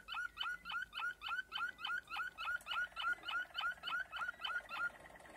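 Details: Malinois Waterslager canary song from 2020: a steady chain of hooked, knocking notes repeated about three times a second, joined midway by a soft, fast, low rolling trill underneath.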